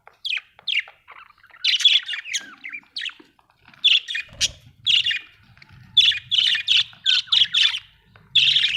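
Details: Budgerigar chirping: quick high tweets and squeaky warbles come in clusters, some notes sliding downward, with a faint low rumble under the later calls.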